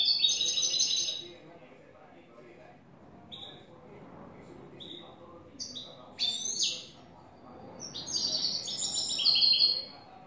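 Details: New European goldfinch performing clean song in the "el tres vueltas" style: a bright twittering burst, then scattered short high chips and slurred notes, building to a rich, buzzy, tinkling phrase near the end.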